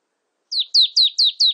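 A marsh tit gives five quick, high, downslurred notes, about four or five per second, with no other sounds.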